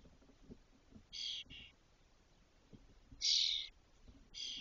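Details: Fully feathered nestlings of the spotless starling, six chicks in a cork oak nest in Doñana National Park, Spain, in spring 2023, near fledging. Short, noisy, hissing rasps: a quick double burst, a longer loud one, then another starting.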